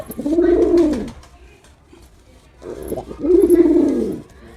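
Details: Performing male pigeon cooing twice, each a deep, drawn-out rolling coo lasting about a second, the second rising into a stronger burst, separated by a short quiet gap with faint shuffling.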